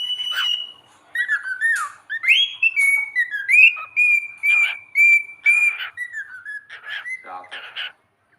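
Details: Pet cockatiel singing indoors: a run of clear, sliding whistled notes, rising and falling, repeated about twice a second with chattery bits between.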